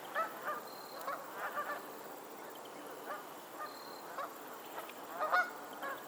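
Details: Flock of geese calling on a lake in Pennsylvania: bursts of overlapping nasal honks, clustered early and again near the end, with quieter distant calls between and a constant low hiss.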